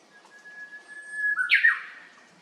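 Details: Japanese bush warbler, plump-looking, filmed on 29 April 2024 singing several times: a faint onset and long level whistle lasting over a second, then a loud quick falling flourish, ending in quiet.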